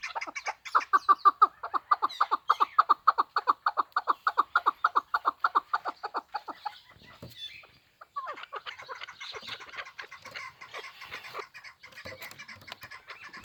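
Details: Hybrid chukar partridge, kept for fighting and hunting, delivers a fast, steady run of about thirty clipped chuk notes over six seconds, then quieter scattered calls and noise.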